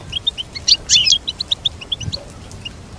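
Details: Goldfinch chirps spaced evenly in a quick series, with a bright buzzy twittering burst around one second.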